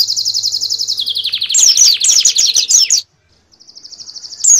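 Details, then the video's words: Master song of a canary for preparing competition birds for a national contest: rapid high repeated chirps sliding gradually lower, then sharper rising notes, a brief silence, and a renewed fast trill; faint low hum early on. "Masteran kenari terbaik untuk persiapan lomba nasional"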